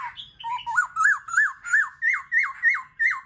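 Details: Black-throated laughingthrush singing, played to stimulate other birds to sing: a fast series of about ten loud, rich whistled notes, each rising then dropping sharply, repeated roughly three times a second.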